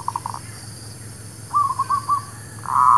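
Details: Lure song of a zebra dove, known locally as merbuk kampung or perkutut lokal, played for trapping: a few soft clipped coos, then a quick stuttering run of notes, ending in a loud, sustained cooing burst, with low background hum.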